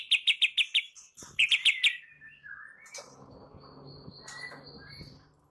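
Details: Morning lure of white-rumped shama to make shamas sing: two quick series of sharp repeated notes, a soft falling whistle, then a long thin steady whistle over a low hum.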